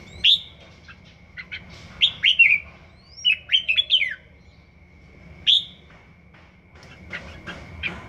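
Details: Red-whiskered bulbul one season old practising its song: loud clear whistled notes and rapid chattering bursts of three to five slurred phrases, spaced by pauses, with a faint continuous tone in the background.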